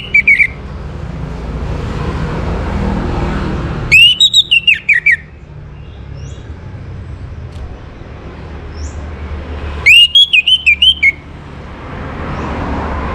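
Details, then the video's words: Orange-headed thrush singing in a morning recording meant to bring birds into breeding condition: two short bursts of squeaky, fast-warbled whistled phrases about six seconds apart, with a steady low traffic rumble throughout. "Naikan Birahi ANIS MERAH pancingan PAGI HARI"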